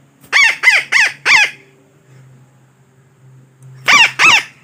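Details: Parakeet call used as a trapping lure: four rapid, harsh, nasal squawks in a row, a short gap with low hum, then two more squawks.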